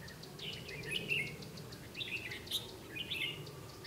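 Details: Decoy red-whiskered bulbul at a bird trap, 12 August 2016, singing competitively to draw in wild birds; three short bursts of lively whistled, slurred notes about a second apart, with a steady low rumble behind.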